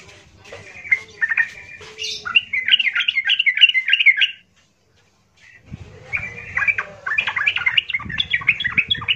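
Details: Rough, loud trucukan song of a yellow-vented bulbul used to provoke rival bulbuls; long dense runs of rapid chattering warbles, broken by a brief silence midway, with low hum underneath.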